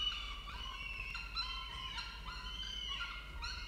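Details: Male peregrine falcon bringing food to the nest in Orange, Australia: drawn-out, harmonic, whining calls that bend up and down and overlap, with a low background hum.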